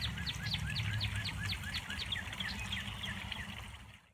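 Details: Spring morning birdsong recorded 22 March 2021, a fast run of bright repeated chirps about four per second, fading toward the end, against a background of running water and low-frequency noise.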